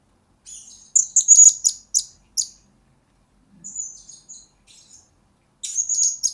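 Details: Blue-crowned hanging parrot lure and master song for training birds: rapid clusters of piercing high chirps and sharp ticks, then softer scattered notes, ending in a renewed shrill twittering burst.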